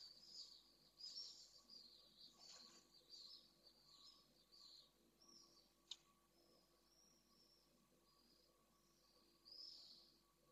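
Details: Pallid swifts in a nest box at Jerez de la Frontera, Spain, with the male confronting and expelling an intruding swift just after the first egg was laid. Shrill, buzzy screams come in uneven bursts over a steady low hum.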